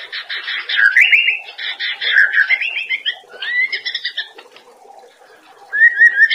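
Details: White-rumped shama master song used to train cage birds, with harsh scratchy bursts mixed with slurred whistles, a pause, then a short rising whistled phrase over steady low hum.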